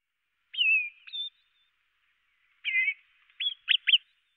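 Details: Great tit giving calls: a slurred, wavering buzz and a brief high chirp, a short silence, then a rattling buzzy note and three rapid hooked chirps. No background sounds.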